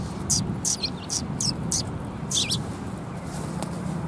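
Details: At a Tenmangu shrine on 14 March 2021, sparrows coming to be fed give a run of high chirps with a few downward-curling notes, then fall quiet against low background noise.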